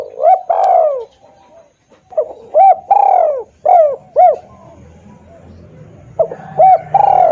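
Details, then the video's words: Lure recording of spotted dove cooing, used to attract birds: clipped hooting notes and drawn-out falling coos in three loud phrases, with a faint low rumble in the gaps. "suara pikat tekukur|SUARA BURUNG TEKUKUR"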